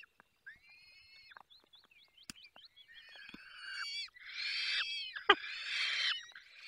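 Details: Feeding time at a falcon nest in Poland's Barycz Valley: soft, high whistled notes with a sharp click, building into loud raspy, harsh screeching bursts that grow stronger toward the end.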